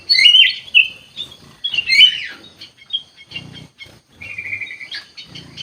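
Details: Bulbul known locally as kutilang emas: bright slurred whistles, then a steady held whistled note and a rising flick, with soft rustling and low thumps in the background.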